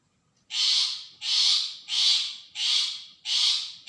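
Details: Long-tailed shrike, used as a lure to provoke a reply from other shrikes: loud, harsh, rasping notes, each about half a second, repeated steadily five times in four seconds, with faint low background rumble.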